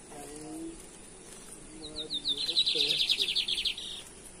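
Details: Lined seedeater in Brazil, 2023, singing in caça rato or torneado style: short thin introductory notes then a dense buzzy rapid trill lasting about a second and a half, with low calls of other birds beneath.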